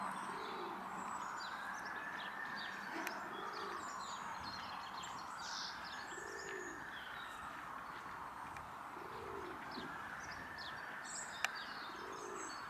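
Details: Common wood pigeon (Columba palumbus) in Tivoli landscape park, Ljubljana, on 7 March 2024, giving soft, low, hollow coos in short phrases every couple of seconds, with small birds chirping and twittering over a steady background hum.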